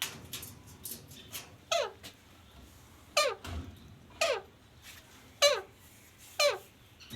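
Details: A pet parrot indoors, reportedly talking, repeats loud descending squawks about once a second, each a quick falling sweep, with softer clicks and room sounds between.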